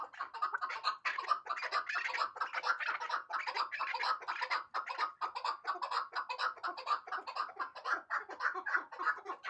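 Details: A chukar partridge hybrid from last year's chicks chatters continuously with dense, harsh chuk notes, a little over two per second. The calling runs steadily with no clear break.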